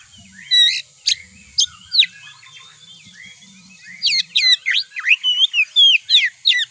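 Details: Kacer, the Oriental magpie-robin, sings a provoking lure: scattered sharp notes at first, then a dense stream of rapid whistles, trills and harsh chips in quick succession, with a steady high whine in the background.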